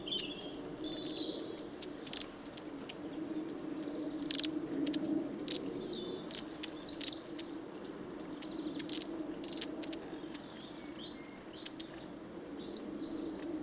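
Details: Winter 2012/13 flock of long-tailed tits at a suet feeder at Saltersford Locks, Cheshire; constant high-pitched twittering and brief buzzy rattles from many birds, with sharp clicks over a low steady hum.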